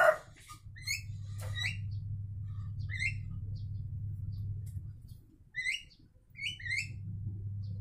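Javan mynas trade short, bright notes that rise then drop, in quick pairs a second or two apart, over a steady low mechanical hum.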